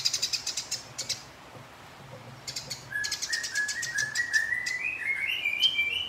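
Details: House sparrow fighting a rival. Rapid dry clicking chatter opens, then a pause, then more ticking that runs into a series of short chirps climbing steadily higher in pitch.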